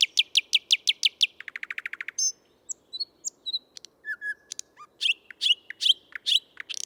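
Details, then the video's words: A male thrush nightingale sings in Tsaritsyno park, Moscow, on 12 May 2022: a loud, varied phrase of rapid clicking rattles, a fast falling trill, then sharp whistles and chattering notes. "Соловей | Thrush Nightingale | Luscinia luscinia, ♂ поёт"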